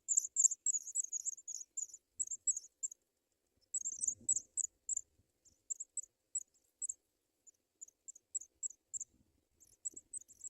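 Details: Nestling African pipits begging as parents deliver white butterflies: rapid series of high, sharp squeaks, about three or four per second, in clustered bursts separated by short gaps, with a brief soft rustle.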